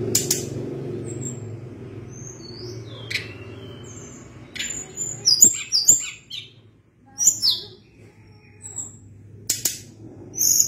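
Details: Sunda blue robin giving sparse, high thin whistles and sharp chips scattered across several seconds, with a low steady hum beneath.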